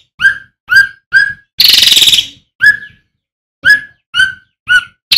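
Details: Male striated swallow singing steadily, recorded for tutoring other birds: clear whistled notes falling in pitch, each about half a second apart, with a long grating buzzy rasp and a short pause partway through.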